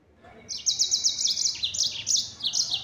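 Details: Yellow-fronted canary in full, chattering nembak song: a quick series of sharp, high, metallic notes repeated rapidly over two seconds after a quiet start.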